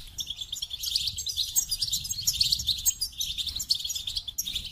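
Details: Goldfinch delivering a continuous, rich twittering warble of high jingling notes and fast buzzy trills with barely a pause, over a faint low hum.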